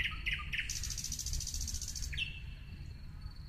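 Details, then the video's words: Singing nightingale delivering a few quick chirps, then a rapid rattling trill lasting over a second, followed by a fading long whistle, against a low continuous rumble. "nightingale singing"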